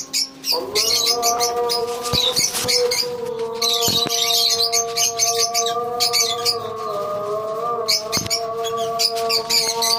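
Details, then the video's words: A lovebird colony chatters for ten seconds with overlapping high, shrill chirps rising and falling in waves. A steady humming tone starts soon after the opening and continues throughout. "Love bird colony"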